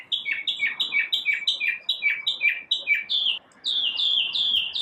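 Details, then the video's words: One unknown bird singing in the morning, all its varied notes from the same individual: a fast run of downward-slurred chirps, brief pause, then a series of higher rising whistles. "Birds chirping | Bird chirping sounds | Bird singing | Morning bird sounds"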